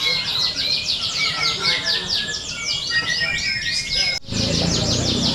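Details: Contest canaries, used to train birds' nerve for competition: rhythmic bursts of quick descending chirps and trills from many birds, a clear whistled note, a brief dropout near the end, then the chorus resumes amid crowd noise.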